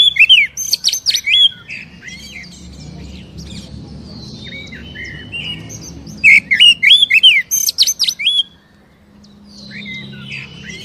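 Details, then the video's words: Song of an Oriental magpie-robin, meant to provoke a caged bird into answering: energetic bursts of looping whistles and sharp high chips, pausing between phrases, over a soft low hum, ending in near silence. "SUARA PANCINGAN BURUNG KACER AGAR CEPAT BUNYI DAN GACOR"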